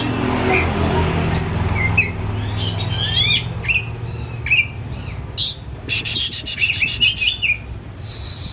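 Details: Caged white-rumped shama kept at home as a hobby bird, not for contests, singing excitedly with tail spread, used as a lure to get silent shamas singing; varied sharp whistles, buzzy rasps, quick trills and chattering bursts over a steady low hum.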